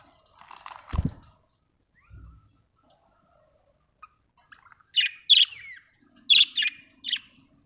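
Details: Budgerigar, called an Australian bird, giving a quick series of short, harsh, buzzy chirps in two bunches late on, after a low thump and a soft rustle near the start; otherwise quiet.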